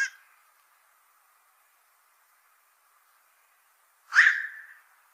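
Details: Black-crowned night heron, noted as a troublesome fish eater at fishponds, giving a single loud, harsh croak that falls quickly, preceded by the tail of an earlier call, with silence between.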